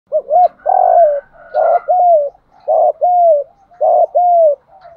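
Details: Spotted dove cooing, compiled as a lure for training captive birds to coo: deep, mellow two-part phrases, a short bent note followed by a longer sliding coo, repeated roughly every second and a half against a quiet background.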